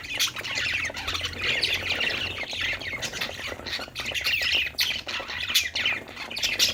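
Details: Budgerigars chirping happily at play, a continuous flock chatter of squawks, warbled phrases and clicks, with a faint low hum underneath.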